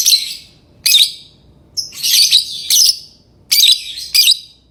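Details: Shrill, grating chirps from a lovebird, repeated every half second to a second, several doubled into quick pairs, with little else heard.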